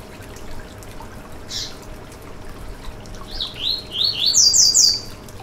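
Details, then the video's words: Song of a Yellow-bellied seedeater (coleiro baiano) meant to stimulate a caged bird: one brief soft note, a pause, then a fast phrase of falling-rising whistles ending in shrill high buzzy elements. "Canto para foguear e esquentar seu COLEIRO BAIANO - 2022 - Piado e Canto"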